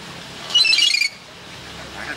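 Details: Myna said to be talking, giving one harsh, high squealing note with stacked harmonics, lasting about half a second, against a quiet background hum.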